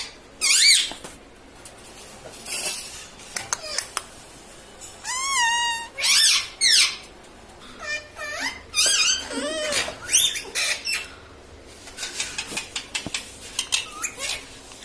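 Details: Talking pet parrot indoors, taught to say mummy, papa and mitthu; many short speech-like bursts, rising and falling whistled syllables and a wavering trill, broken by sharp clicks and pauses.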